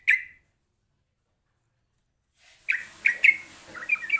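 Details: Calls of a sooty-headed bulbul used as a lure so a lazy bulbul answers: one sharp chirp, two seconds of silence, then a cluster of bright chirps and short warbled notes over light background hiss.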